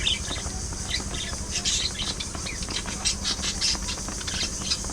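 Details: Pet budgies squabbling and chattering together: sharp, bright squawks and rapid chirps in quick irregular bursts, with constant background hiss and a low hum underneath.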